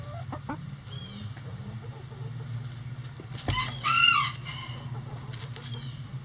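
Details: Backyard chickens doing their daily chicken activities: quiet clucks early on, then a loud, strongly harmonic drawn-out squawk near the end that swells and fades, with a continuous low hum underneath.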